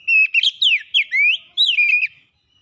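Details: Oriental magpie-robin singing fast as a lure to set other birds singing their full repertoire: a string of loud, clear whistled notes, some swooping down, others rising, in quick phrases before silence.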